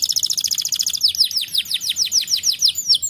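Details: Canary singing, used to stimulate a lazy bird into song: a fast buzzy high trill that shifts into a run of quick downward-sweeping whistles, evenly repeated.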